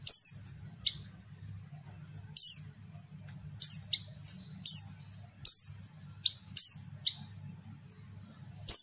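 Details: Female white-eye (pleci) lure call that makes males reply and open their beaks: repeated piercing high chirps with quick descending tails, coming in irregular bursts, with a low hum beneath.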